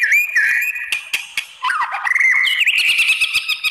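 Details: White-rumped shama lure song meant to provoke other shamas into answering: a varied run of loud whistled notes, sliding and steady, broken by sharp clicks and a brief lower warbling dip.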